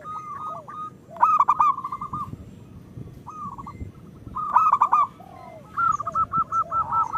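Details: ['Zebra dove singing, local type, used as a lure for birds that sing little: rolling coos broken by two louder bubbling phrases, ending in an evenly spaced run of short notes.']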